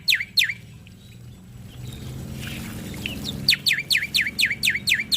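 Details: Male black-winged starling singing energetically as a master recording to prompt other starlings to sing: two sharp downslurred whistles, a quieter gap with low hum, then a rapid run of seven repeated descending whistled notes.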